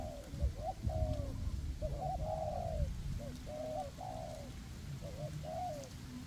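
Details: Two spotted dove decoys, one high and one on the ground, calling in forest on a windy day to attract wild doves; several cooing phrases in quick succession, clipped notes leading into longer falling coos, low wind throughout.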